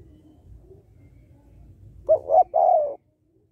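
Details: Female spotted dove calling to excite males, one coo phrase after a quiet stretch: two brief notes followed by a drawn-out, slightly descending note, over faint low hum.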